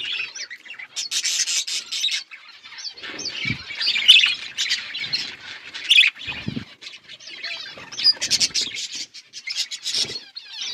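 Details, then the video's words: Flock of budgerigars feeding, bursts of buzzy, warbled chirps and squawks separated by short gaps, with a few low thuds and rustles beneath. "Beautiful budgies flocks birds eating food"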